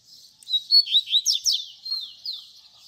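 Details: Short baderna phrase by a double-collared seedeater, used to teach young birds: about six loud pulsed slurred notes in quick succession, then softer falling notes.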